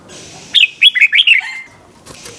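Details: Red-whiskered bulbul doubled ('bernle') song meant for young birds to copy: a short phrase of five or six bubbling, slurred whistles ending in a lower trailing note, quiet hiss behind.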